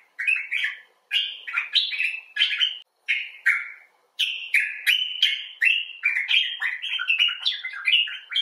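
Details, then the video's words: Expressive chatter of a common bulbul, possibly a rescued clinic bird: rapid series of short slurred and warbled notes, rising and falling, delivered in quick bursts almost continuously with tiny gaps. "Bulbul Talk: The Common Bulbul (Pycnonotus barbatus)"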